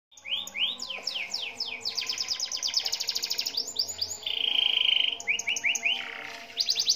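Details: Four-month-old young canary singing a varied song of rapid trills and upward-sweeping whistled notes, with a sustained buzzy high note mid-phrase, then further short rising notes.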